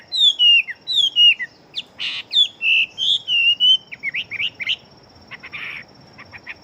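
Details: Chinese hwamei, a fighting bird with a fast, strong song, delivering loud clear whistled phrases, some sliding down and others rising, at a quick uneven pace, then shorter notes and a few faint dry chips toward the end.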